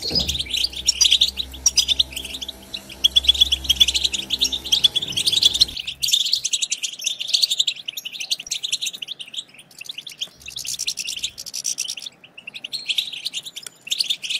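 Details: Massed European goldfinch twittering to stimulate other goldfinches: continuous high, rapid chattering throughout, with a low hum underneath during the first part.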